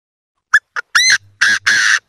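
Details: Chinese francolins calling to each other give harsh, loud squawking notes: two short clicks, then three longer grating calls over two seconds, with a faint low hum beneath.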